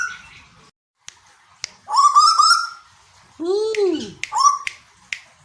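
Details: Asian koel kept in captivity in Bogor, Indonesia: a strong upward-sliding whistle, then a lower arching hoot-like sound and a second short rising whistle, with sharp clicks in the quiet gaps.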